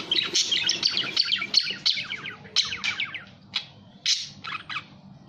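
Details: Budgerigar twittering in a quick run of chirps and warbled squeaks that thins out halfway into a few separate sharp calls and short bursts.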